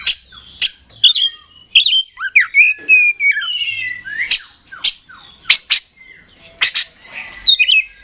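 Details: Song of an Oriental magpie-robin, a varied mix of harsh clicks, sweeping slurred whistles and short squawky notes, delivered in uneven bursts with brief gaps.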